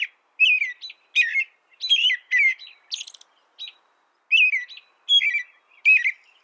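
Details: American robin caroling in bursts of two or three slurred phrases, one higher squeaky phrase in the middle, then a second-long pause before the series resumes; otherwise quiet.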